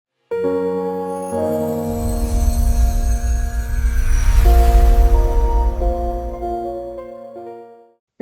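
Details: Sustained ambient music of layered tones and a low rumbling drone, with no animal voices.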